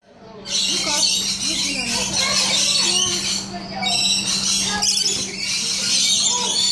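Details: Rainbow lorikeets at Colchester Zoo filling the air with dense, overlapping shrill screeches and chattering squawks that barely pause, over a steady low hum and faint human voices in the background.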